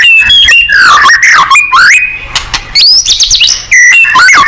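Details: Energetic singing of a white-rumped shama, played to prompt other birds to answer: rich, varied phrases of swooping whistles, rising slides and quick trills, broken by short pauses, loud and close.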